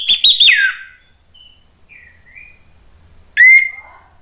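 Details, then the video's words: Agitated Orange-headed thrush song used as a provocation for other birds: a loud trilled burst that drops into a falling whistle, faint soft warbles, then one sharp, piercing whistled note. "ANIS MERAH spontan EMOSI NRATAK terus NGEPLONG ¦ PANCINGAN AM"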